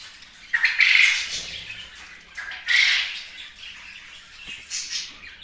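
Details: Kept budgerigar giving harsh, bright squawks in rough bursts about every two seconds, with softer chattering notes between them.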